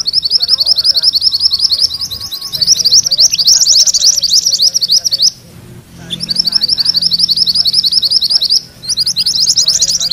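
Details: Yellow mantenan rolling song for tutoring magpie-robins: sustained high, rapid, chattering notes running for several seconds with two short breaks, over faint lower warbling.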